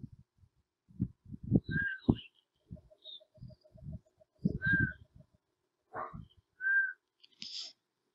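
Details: A critically endangered Isabela Oriole in one of the first recordings of the species, from a pair found in San Mariano, Isabela province, gives short, mournful, slightly descending whistles three times, a few seconds apart, with a man talking over them and faint music.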